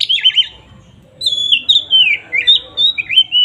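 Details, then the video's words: Kacer, an oriental magpie-robin, in loud ngeplong song meant to provoke other birds: a fast warbled trill, a pause, then a series of clear sliding whistles in short bursts. "pancingan SUARA BURUNG KACER GACOR NGEPLONG ini paling ampuh untuk menaikan emosi kacer"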